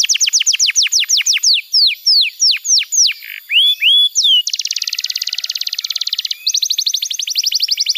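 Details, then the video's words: Tutor song of a canary for juvenile birds: sweeping descending whistles and a few rising slurred notes, followed by a rapid buzzy trill that breaks briefly and resumes. "Masteran Kenari PAUD & Pancingan Kenari MACET BUNYI‼️ Terapi AMPUH Bikin Kenari GACOR"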